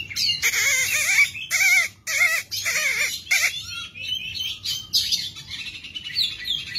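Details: Oriental magpie-robin in lively song while spreading its tail: loud, dense bursts of buzzy, warbled and whistled phrases, several long rich strophes with brief gaps, then quicker varied chirps and whistles toward the end.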